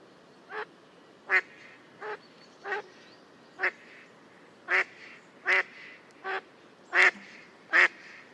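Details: A mallard (Anas platyrhynchos) recorded in the wild gives ten loud, harsh single quacks at an uneven pace of roughly one per second, against a faint steady background hiss.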